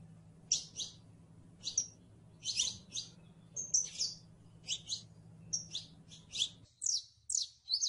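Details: Canario criollo (saffron finch, Sicalis flaveola) giving rapid pairs and clusters of piercing high chirps at irregular intervals. A low electrical hum runs underneath and stops near the end.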